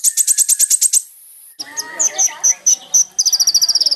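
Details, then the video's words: Kolibri ninja sunbird singing lively, used as a lure for other birds: a fast, high, ticking trill of about ten notes, a pause, scattered sharp chips with some faint background sounds, then another rapid high trill. "SUARA BURUNG KOLIBRI NINJA GACOR"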